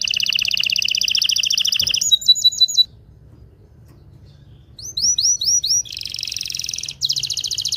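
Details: Canary song played to stimulate males and excite females for mating: fast buzzy high trills, then a gap and a series of quick rising whistled notes, ending in another rapid trill.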